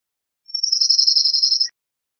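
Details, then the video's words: A single cirl bunting trill: a high, dry rattle of rapid identical notes lasting just over a second, then silence. "Cirl Bunting Singing, Cirl Bunting Calling, Chirping, Sound -Escribano Soteño Canto- Emberiza Cirlus"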